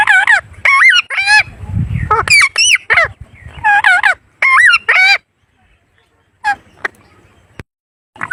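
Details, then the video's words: Repeated loud, nasal, honking parrot calls in quick series of bent notes, then sparser calls and quiet gaps, with a low rumble in the background. "The Voice|| of the ||Parrot"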